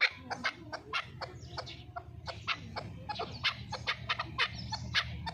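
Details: Fighting chukar partridge from Qubodiyon, Tajikistan, in a steady series of sharp, raspy chuck notes repeated two to three times a second over a constant low rumbling background.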